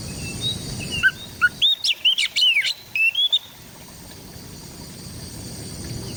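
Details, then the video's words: White-rumped shama in East Java, recorded on an Android phone: a lively two-second burst of loud, varied whistles, quick up-and-down slurs and sharp notes, then background hiss. "Terapi suara menaikan mental kacer down dengan cepat"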